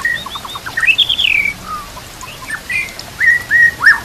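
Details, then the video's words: A white-rumped shama sings a varied run of clear whistles, rising and falling slurs and quick chattering notes, with phrases changing every second or so. "TERAPI MURAI BATU"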